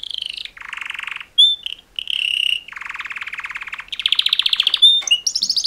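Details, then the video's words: Mating call song from two male canaries, alternating lower buzzy rolls with brief high whistled notes, ending in a fast rising pulsed trill. "Super Two Males Canary Mating Call Songs"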